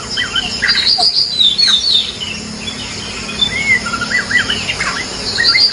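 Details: White-rumped shama of the Medan type singing a busy run of short chirps and quick slurred notes, high and varied, with a steady faint hum behind.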